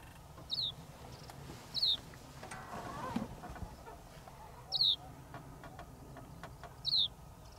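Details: Mediterranean (Lesser) short-toed lark, subspecies polatzeki, perched close at El Jable, Lanzarote, Spain, on 28 December 2021, gives four brief, high, downslurred chirps spaced irregularly over several seconds above low wind rumble.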